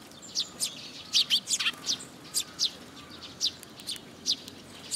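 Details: Eurasian tree sparrows at a feeding spot on a post, Tenmangu shrine, 26 June 2022; thin, high chirps repeated irregularly, several rapid ones in the middle, over a soft steady background.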